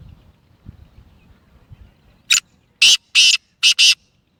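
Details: After a low murmur of background noise, a black francolin (Kala Teetar, Gangas Sheedi Lakka cross, nasal voice) calls loudly: a brief rasp, two longer grating notes, then a rapid harsh pair.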